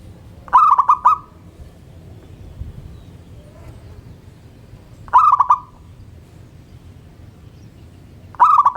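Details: Local zebra dove singing vigorously in the morning from a hoisted perch, encouraging other birds to sound off; three quick, rolling phrases of staccato coos roughly every four seconds, with quiet between.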